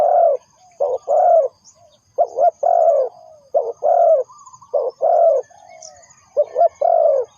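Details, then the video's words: Spotted dove used as a lure for trapping, giving clear, low, mellow cooing notes in short two- and three-part phrases, repeated steadily with brief pauses; a faint high whine runs in the background. "The Sound Of Spotted Dove is good"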